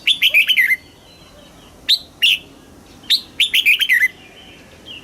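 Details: Thai caged red-whiskered bulbul singing southern master-style song for rousing birds and teaching chicks: a rich tumbling run of whistles, two isolated clear notes, then another rapid bubbling phrase ending in a soft trailing whistle.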